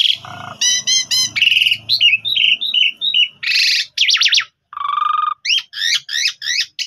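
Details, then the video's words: Javan pied starling singing a long master phrase meant for other birds to imitate: rapid ringing trills, short warbled notes, a harsh burst, a steady double tone and repeated swooping whistles. "Master Jalak Suren Gacor Full Nembak Suara Panjang Mudah Ditiru Jalak Suren Lain"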